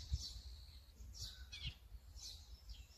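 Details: Several quick harsh, scratchy calls of an azure-winged magpie, recorded with a Sony A9 camera, rising and falling in short bursts against faint low background rumble.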